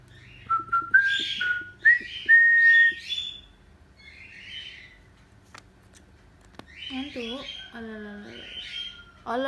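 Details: A pet cockatiel, encouraged to sing, whistles clear, slightly rising notes interspersed with short buzzy bursts, followed after a pause by human vocalizing.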